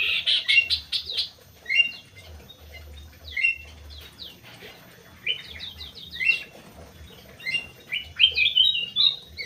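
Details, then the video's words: Crewet bird singing lively high twittering. Sharp ticking notes mix with slurred chirps in rapid phrases, with a long dense run near the end. "BURUNG CREWET"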